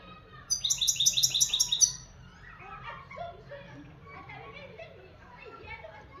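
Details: Moroccan European goldfinch gives a fast, high, ringing trill for over a second, followed by softer, lower murmuring sounds resembling voices in the background.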